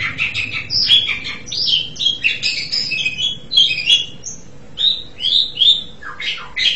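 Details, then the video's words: Asian pied starling delivering continuous song of mixed whistles, squeaks and chattering notes, then a run of separate slurred whistles spaced under a second apart. "JALAK SUREN"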